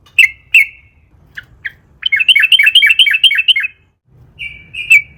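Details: Long-rolling sooty-headed bulbul song used as a lure for other bulbuls: two clear opening notes, a few soft calls, then a quick bubbling run of trilled notes, ending with more drawn-out whistles.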